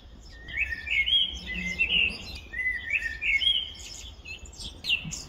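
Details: A male common blackbird gives its spring song in Vallagarina, Trentino: mellow, fluty warbled phrases about a second long, several in a row, some ending in a high squeaky twitter, over quiet outdoor background.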